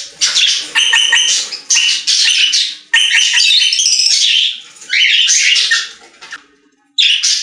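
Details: Parakeets in a pet store singing in loud bursts of raspy, buzzy warbling and squawks, each burst about a second long, separated by short gaps and a near-silent pause near the end.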